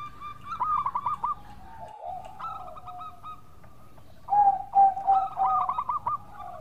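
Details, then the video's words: Local zebra dove song used as a lure: soft rolled coo notes and low drawn tones, then a louder stretch of overlapping bubbling coos and a rippling series near the end. "Pancingan Perkutut Lokal Gacor Suara Merdu"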